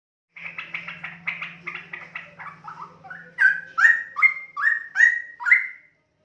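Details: A pair of young Straw-headed bulbuls, nestmates from young wild-bred parents. Rapid raspy, buzzy notes repeat about twice a second, then give way to louder slurred whistles that rise and fall, with a steady low hum behind them.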